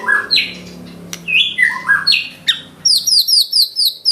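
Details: White-rumped shama in full, energetic song: loud falling whistled slurs at several pitches, then a rapid string of high, sharp repeated notes, with faint low hum behind.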